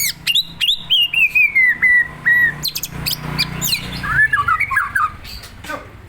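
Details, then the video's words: Provoked white-rumped shama opens with a series of clear, separate whistled notes stepping downward in pitch, then breaks into a fast, tumbling warbled phrase; low hum underneath. "Memancing emosi muray batu"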